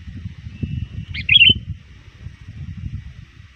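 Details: Sooty-headed bulbul trained as a lure, calling rivals near dusk: one brief bubbly chirped phrase with a sharp opening note and quick warbled ending, amid low rumbling noise.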